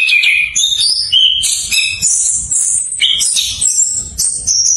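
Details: Orange-headed thrush (Geokichla citrina), song.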